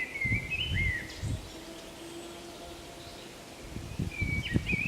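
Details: Solo song of a common blackbird, Zamudio, on the Camino de Santiago, 28 March 2019: a fluty warbled phrase with a dipping slur opens, a pause of low rustling follows, then another whistled phrase with a high squeak.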